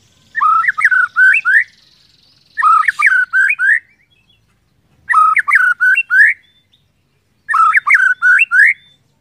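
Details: White-rumped shama song played as a lure so other shamas start singing: four loud, rich whistled phrases of several notes each, repeated about every two and a half seconds with silent gaps between.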